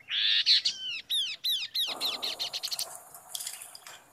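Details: Chestnut-capped babbler (kaso kaso) song played as a lure to provoke other birds to reply: a rapid series of sharp, high, downward-slurred notes, about three per second, tailing into quieter chatter.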